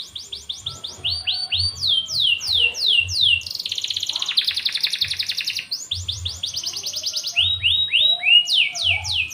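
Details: Canary song used to stimulate other canaries to sing. Loud, varied phrases of rapid descending sweeps and fast, rattling rolled trills that change pitch every second or two, over a low background hum.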